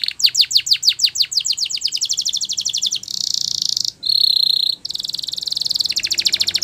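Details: A canary sings training song with descending sweeping notes that quicken into a tight trill, then switches between flat buzzy rolls and a sharper ringing roll.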